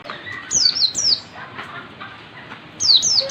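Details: Oriental white-eye learning the dense ngalas song style, giving short pairs of high, piercing down-slurred whistles separated by a quiet gap of nearly two seconds.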